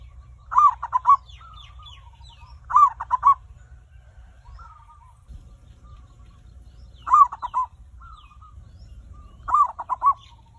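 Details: Zebra dove lure song, used to prompt other birds to sing quickly: four cooing phrases, each a quick stuttering burst followed by softer trailing coos, spaced a few seconds apart over a low background hum.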